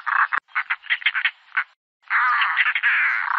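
A European roller gives harsh, rasping 'rak' notes in a quick stuttering series, then a longer grating chatter after a brief pause.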